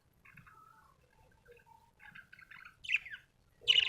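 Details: Budgerigar chirping: soft warbled notes and short chattering phrases, then two louder sharp chirps near the end, with quiet background otherwise.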